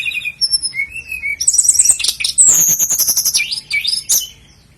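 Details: Sikatan londo flycatcher song used to tutor caged birds: thin sustained whistles opening into a rapid, busy jumble of sharp high notes, trills and downward swoops before fading.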